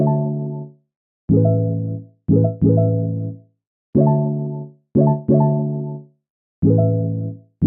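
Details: Electric keyboard chords struck in short repeated bursts that decay between strokes, with no animal calls.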